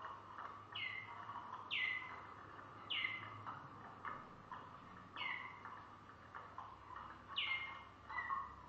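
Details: Song of a Malinois Waterslager canary, a clear downward sliding phrase repeated roughly every second, each trailing into a lower bubbling, watery tone, with quiet hum in the background.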